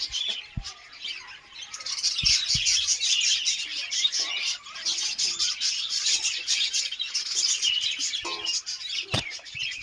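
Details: A flock of budgerigars kept in a colony keeps up a dense, high chatter of overlapping chirps and warbles.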